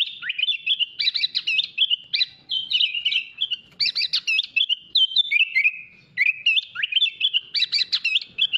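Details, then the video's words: A sooty-headed bulbul sings a continuous, lively run of bright, bubbly whistled phrases, chattering and warbling with quick rising and falling notes; nothing else is heard. "MASTERAN KUTILANG ISIAN MEWAH"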